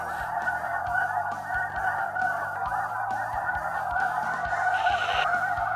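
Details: Large flock of snow geese flying toward hunters in a pit blind, with an electronic caller also playing: a dense, unbroken chorus of overlapping nasal honks. Faint low musical tones sit underneath throughout.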